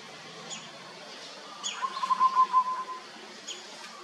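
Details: Zebra dove giving a short run of quick, stuttering notes held at one low steady pitch, rising briefly in loudness, with faint hiss and a few soft distant chirps around it.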